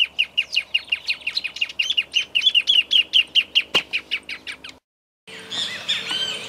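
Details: Grassland yellow-finch (Sicalis luteola) in Esperanza, Santa Fe, Argentina, 2023, gives a fast run of high, bright chirps, about four per second, then a brief silence and a burst of denser, jumbled twittering.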